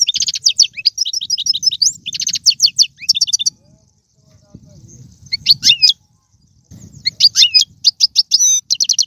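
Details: European goldfinch song used to stimulate a pet goldfinch, 'bitbita' style: quick twittering phrases and trills broken by two silent gaps, resuming with sharp chirps and rapid notes.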